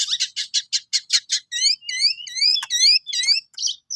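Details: Cendet (long-tailed shrike) learning to sing: a run of rough, rapid chattering notes gives way to sweet rising whistled slurs, repeated several times before a final harsh chip.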